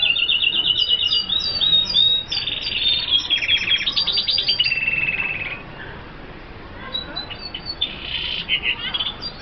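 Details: F1 hooded siskin in full song: sweeping chirps give way to dense buzzy trills and rattling phrases at several pitches, fading toward the end.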